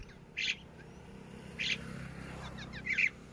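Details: Three separate bursts of high, buzzy chirps from baby Red-wattled lapwings, spaced over a second apart, the last ending in a quick trill.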